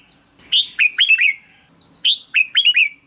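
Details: ['Red-whiskered bulbul song: a short introductory whistle, then a quick, cheerful series of four or five slurred notes, repeated twice. It is played for decoy use or to excite caged birds.']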